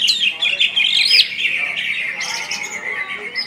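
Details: West Kalimantan greater green leafbird, kept caged, singing gacor and nembak: a loud, unbroken stream of slurred whistles and squeaky chatter, with a sweeping rising note near the middle and high shrill accents.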